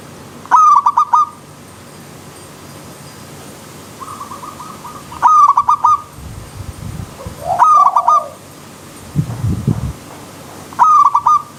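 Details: Wild zebra dove repeating a loud, stuttering phrase of quick ringing coos about every three seconds, with a quieter distant echo of the same phrase between and faint low rustling noises.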